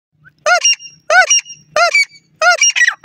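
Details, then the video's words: Female teetar, a francolin (desi teetar), giving loud harsh harmonic squeaky notes in quick pairs, four bursts about every 0.6 seconds, each arching note doubled with a brief overtone whistle; quiet low hum between bursts. "teetar madi ke awaz kt kt kt,pheasant female awaz tk tk tk tn"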